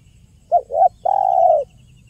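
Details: A spotted dove gives its 'kuk 1' lure phrase: two clipped low coos, then a sustained hollow coo lasting about half a second, with faint high ticking in the background.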